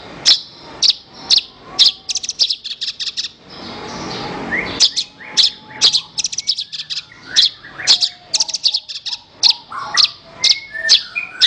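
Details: Singing Horsfield's bush lark, from a recording for training other songbirds: clusters of sharp high ticks and rattles, a brief hissing noisy gap, then renewed chattering phrases with slurred whistles.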